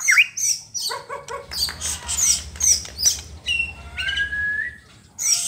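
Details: White-rumped shama song meant to provoke rival shamas: scattered high whistles, short buzzy chirps and a long rising whistle near the end, over a low steady hum.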